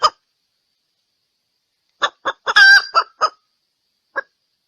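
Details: Female red junglefowl calling for males, recorded as a decoy sound for junglefowl luring: a single cluck, two seconds of silence, then a quick burst of clucks around one drawn-out harsh nasal note, and a last lone cluck.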